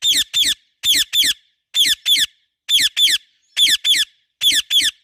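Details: Pet parrot calling with loud natural chirps in steady pairs, two quick raspy notes about a fifth of a second apart, each pair roughly a second after the last.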